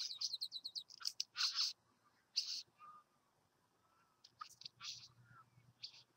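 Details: A Satin bowerbird visiting a bower gives a quick run of about eight high, buzzy ticks, then loud harsh rasping bursts, scattered chirps and a soft low whistle.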